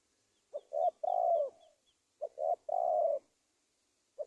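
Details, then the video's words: Spotted dove calling as a lure for trapping wild doves in Indonesia: two phrases of short stuttered coos leading into a long, even, slightly falling coo, with a series of faint high chirps from another bird. "SUARA TEKUKUR PIKAT"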